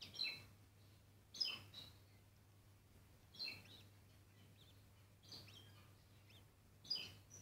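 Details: Bourke's parrot mother feeding her chick; sharp high squeaky chirps come in clusters every one to two seconds, quieter chirps between them, over a faint steady low hum.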